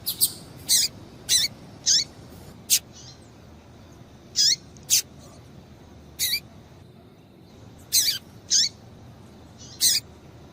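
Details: Calling female Double-collared seedeater, used to stimulate a male: spaced, piercing high chips with downward-curving tails, given singly or in pairs every second or two, with longer silent gaps between.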